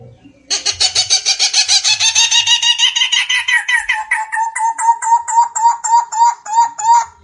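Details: Barbet of the family Megalaimidae, called Cu Rốc in Vietnam: a loud, harsh rattling chatter that gradually settles into a steady run of hollow, evenly pitched pulsed notes repeated several times per second.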